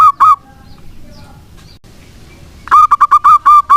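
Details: Local zebra dove singing in full voice, used as a lure to get silent doves singing: two quick cooing notes, a quiet pause, then a fast run of about nine clipped, mellow notes at a steady mid pitch.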